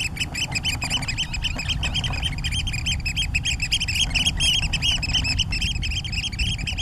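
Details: Eurasian oystercatchers calling in a rapid, excited run of loud, shrill piping notes that overlap and tumble together throughout, with a constant low roaring background.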